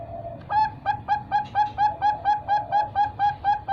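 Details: A three-month-old Bangkok zebra dove chick from a bird farm utters a brief low tone, then a regular train of crisp, short notes about two per second, with light background hum.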